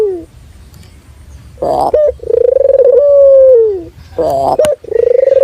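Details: Local ringneck dove (puter lokal), described as vigorously vocal, gives a low rolling, pulsing coo that flows into a long smooth drawn-out note sliding down at the end, with brief clattering noises between phrases.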